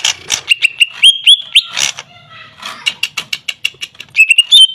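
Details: Greater green leafbird pouring out rapid clicks and chatter mixed with clear upslurred whistles, the phrases crowding together before a brief quieter stretch.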